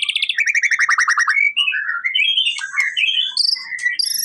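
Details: White-rumped shama song to trigger a response from a lazy singer: a rapid descending series of trilled notes opens, followed by climbing whistled phrases and bright high flourishes.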